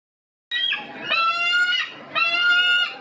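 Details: Bald eagle giving its cackling, laugh-like call: three drawn-out, harmonic-rich squealing notes, each bending slightly in pitch, one after another with no pause, in a clean recording.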